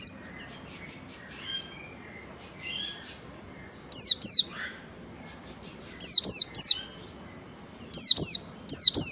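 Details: White-eye learning the nembak phrase in ngalas-style song: clusters of two to three sharp, high, falling whistles repeated about every two seconds, with faint softer warbles in the gaps.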